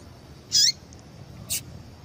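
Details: A female yellow-bellied seedeater gives one bright, high chip with a falling tail, followed by a fainter short note, a call used to make males sing; soft hum behind.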